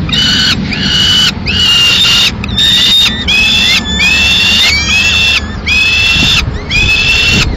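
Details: Peregrine falcons, Madrid nest, 15 May 2016, male arriving with a live swift, female finishing it off; loud, strained wailing cries about a second long, repeated in steady succession with slight upward inflections, over a low hum.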